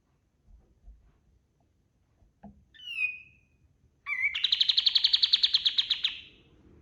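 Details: Kapas tembak white-eye singing as master recording for training birds: faint clicks, a clear falling whistle, then a vigorous two-second pulsed trill of high buzzy notes over light background hiss.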